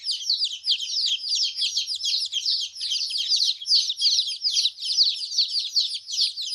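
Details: Baby chickens chirping steadily, a dense chorus of high, rapid peeping notes overlapping continuously, many chicks calling at once with no other sounds.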